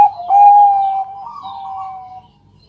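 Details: Zebra dove, Bangkok strain, nocturnal lure song: one loud, sustained, slightly wavering coo fading into a softer drawn-out tail.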